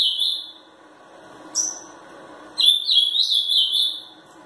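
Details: Caged ultramarine grosbeak, three years old, a 'fibra' bird from Pelotas in Rio Grande do Sul, Brazil, singing in an angry mood: a short warble, a brief note, then a longer sweeping, fluctuating high phrase.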